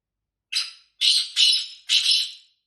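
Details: Female black francolin call, used to excite males: one harsh, rasping note, then three more given close together, each buzzy and broadband, over about two seconds against complete silence.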